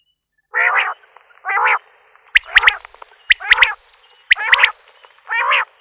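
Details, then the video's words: Common quail (Coturnix coturnix): two longer rasping harmonic notes, then bursts of quick, sharp, clipped notes in threes, ending with another rasping note. "Batair ki Awaz , Batair Sound vol 41, Common Quail Sound 2020 |CALL COMMON QUAIL (Coturnix coturnix)"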